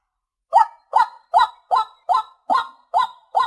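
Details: After half a second of quiet, a white-breasted waterhen starts a steady series of eight harsh, rising notes spaced about two and a half per second.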